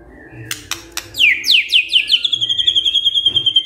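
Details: Vigorous White-rumped shama song: a few sharp clicks, then a run of quick downward-sweeping whistles that settle into a fast, even high trill, with a low hum behind.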